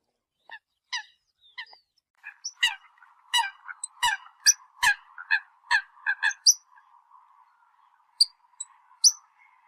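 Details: Calling the flock, Eurasian coot gives scattered short, clipped notes that bunch into a brisk run in the middle, then trail off to a few final calls.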